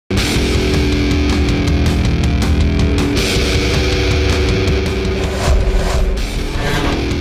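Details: Loud heavy metal music with distorted guitars and drums, and no animal voice.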